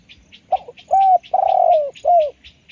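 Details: Spotted dove calling up close: a short clipped note, then a low mellow coo, a long wavering coo that slides downward, and a final falling coo. Thin, high chirps of small birds twitter faintly behind.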